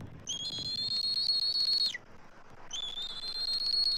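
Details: Adult eagles at a Southwest Florida nest tree, 12 March 2024, calling as an intruding immature eagle circles. Two long, thin, high whistles, each held steady for over a second with a slight rise and a downward flick at the end.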